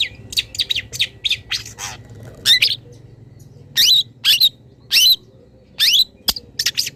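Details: Long-tailed shrike song, full of imitations of wild birds, used as a master recording for training cage birds: harsh, buzzy high chatters in quick bursts, with sharp rising notes and short pauses.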